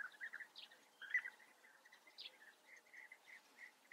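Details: Softer, more distant European bee-eater calls in the Eifel, Germany: a string of mellow, rolling notes repeated at a steady pace, with a couple of higher sharp notes and a faint background hiss.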